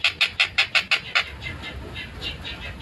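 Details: Long-tailed shrike (tengkek buto) singing fast and clear, recorded 14 December 2025: seven harsh, grating notes in quick succession, then a quieter trailing phrase.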